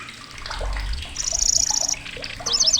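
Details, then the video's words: A migratory grasshopper warbler in Indonesia sings loudly and shrilly. A high, mechanical, buzzing reel runs for almost a second, followed by a short burst of rapid twisting notes, with low rumbling noise early on. "KECICI BELALANG"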